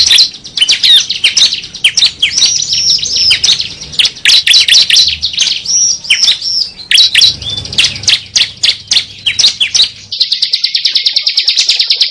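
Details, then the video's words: Cible bird lure call used to attract birds: high, sharp chirps and twittering notes tumbling rapidly over one another, ending in a fast, buzzy, evenly repeated trill. "suara burung cible"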